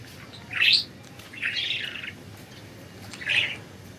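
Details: Pet budgerigars flying free, giving three separate chirps: a short sharp rising note, then a longer buzzy, slightly wavering one, then a brief squeaky chirp, with quiet gaps between and a faint low background hum.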